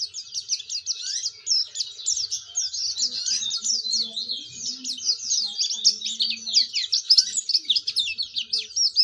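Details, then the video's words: Oriental white-eye, a vigorous young singer learning to open its beak, used to prompt other white-eyes to sing: dense, high, buzzy twittering for nine seconds, with faint low hum in the background. "pleci gacor belajar buka paruh"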